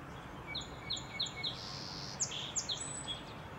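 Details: Song sparrow singing on a cloudy April morning in Minnesota: a run of crisp, high, sharply descending notes spaced about a third of a second apart, then a buzzy hum and a few more bright clipped notes over soft background hiss.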